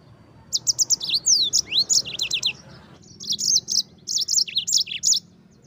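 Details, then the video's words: Energetic yellow-fronted canary singing to tutor white-eyes: quick clusters of sharp high chirps, crossing whistled slides, a short pause, then more bursts of rapid repeated notes with rising and falling sweeps. "suara Mozambik gacor ngerol nembak durasi"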